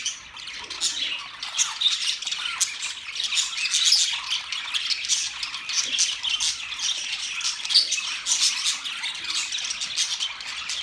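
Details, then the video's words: Caged budgies keep up a long, unbroken stream of harsh squawks and high twittering chirps, several birds calling at once with small peaks of louder notes. "Budgies chirping sounds"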